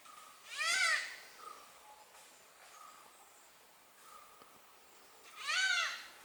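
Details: Malabar grey hornbill calling its mate; two loud, harsh, cackling bursts with rich harmonics, one near the start and one near the end, separated by softer short hoots in a quiet setting.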